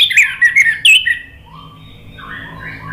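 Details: Orange-headed thrush song meant to coax a quiet bird to sing: a second of loud, squeaky, jumbled high notes, followed by softer, lower, drawn-out whistles in the background.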